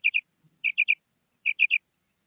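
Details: Female quail with crisp, high-pitched notes in tight groups of two and three, separated by short pauses, with a faint low sound between groups.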